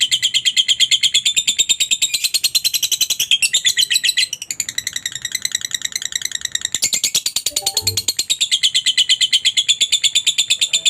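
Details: Lovebird in long ngekek chattering, a lure to get other lovebirds answering and singing: an eleven-second stream of quick, high, scratchy chirps with small shifts in tone and pace.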